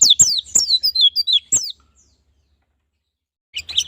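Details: White-eye lure song used to prompt caged birds to sing in ngalas and nembak styles: a quick run of high, sharp, descending chirps for about a second and a half, silence, then a short high burst at the end.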